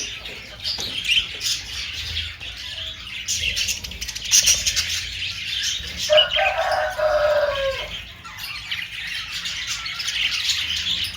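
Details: Budgerigar twittering, high chirps and warbles with a harsher, lower drawn-out call around six seconds, then more chirping, over low background rumble.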